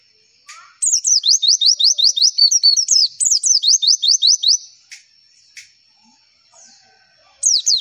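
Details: Javan white-eye (pleci) song used as a lure to draw replies: two bursts of about ten rapid, high, descending notes each, separated by short pauses with faint clicks, and a third burst beginning at the end.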